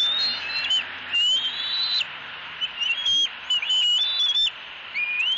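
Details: Eaglet in a Southwest Florida nest tree, April 2018, mantling and squealing loudly at its mother, who ignores the fit. High whistled squees slurring upward, several in quick succession, broken by loud rustling bursts.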